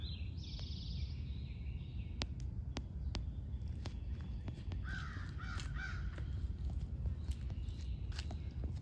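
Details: A noisy crow in a home courtyard in Virginia on a morning with lower humidity gives harsh, raspy caws, one near the start and a short burst midway, over steady low rumble with scattered clicks.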